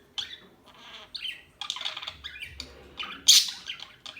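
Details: Birds giving scratchy chirps and harsh squawk-like notes in short irregular bursts, a loud sharp squeak standing out around three and a half seconds.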